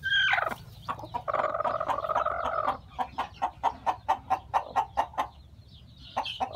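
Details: Farm hen with newly hatched chicks, a high squawk, then a rattling churring call, followed by a regular string of about a dozen short clucks and faint high peeps.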